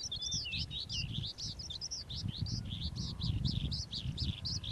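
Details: Calandra lark singing in the morning: a fast, unbroken stream of high twittering and chirping notes, varied and slurred, with a steady low rumble underneath.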